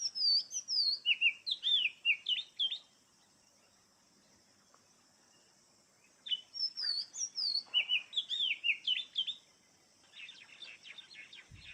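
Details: Oriental magpie-robin (kacer) singing two long runs of rich whistled phrases with swooping, warbled notes, separated by a quiet gap, followed by softer scratchy chatter at the end.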